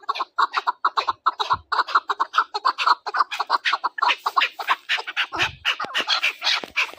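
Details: Chukar partridge calling, tied to hunting: rapid runs of harsh, clucking chuk notes repeated several times a second in a steady chattering stream, with no other clear sounds.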